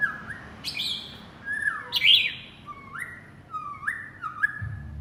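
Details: White-rumped shama calls its partner with clear whistled phrases, each note sliding and stepping upward, repeated about every half second, with a brief louder burst midway and low hum underneath.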